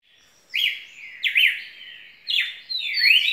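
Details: Red-cowled cardinal singing: loud whistled phrases sweeping up and down, separated by short pauses, with clear high notes and a thin faint tail after each phrase.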